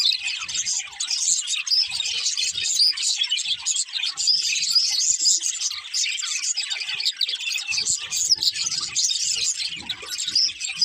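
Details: Several budgerigars singing while playing, a dense, unbroken flock chatter of high chirps, squeaks and warbles layered over each other for the whole stretch, with faint low taps and knocks underneath.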